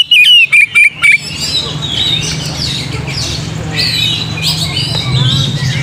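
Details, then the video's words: Oriental magpie-robin song used to provoke singing: a short run of loud, clear whistled notes, some sliding down, over about a second, followed by a dense background chorus of chattering and squeaky birds. "PANCING KACER"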